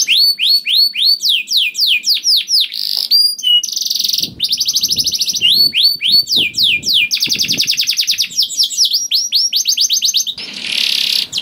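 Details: Long canary lure song to encourage other canaries: repeated sweeping notes, flat whistles, rolling fast trills and a closing buzzy burst, high-pitched and continuous.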